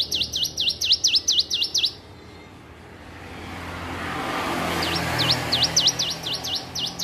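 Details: Young-sounding song practice from a hill prinia: a fast run of sharp swooping notes, a two-second pause filled by rising background rumble, then the swooping notes resume.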